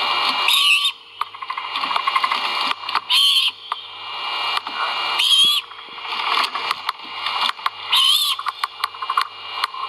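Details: Great horned owl chicks calling at their nest during feeding, from a live nest camera at Skidaway: harsh, rasping screeches with a bent tonal edge, given at irregular intervals over a steady background hiss and hum.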